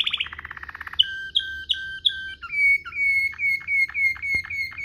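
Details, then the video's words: Waterslager canary singing a tutor song for canaries: a rapid rolling trill, then a series of clear whistled notes each held briefly, followed by repeated downward-swooping whistles about three per second. "NGEROL MEWAH ala WATERSLAGER, cocok buat Masteran burung kenari cengkok mewah"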